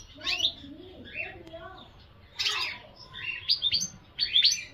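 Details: Goldfinch phrases of sharp high chirps and short twittered bursts, spaced by pauses, with fainter lower warbling sounds early on.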